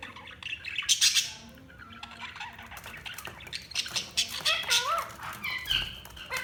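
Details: Budgerigars chirping: a busy mix of short high chirps, warbled notes and squawky bursts, several birds calling over one another with brief pauses.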